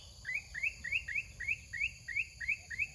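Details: Large wild red-whiskered bulbul with a big voice: short rising chirps repeated about three times a second in an even series, over low background rumble and a steady high electrical whine.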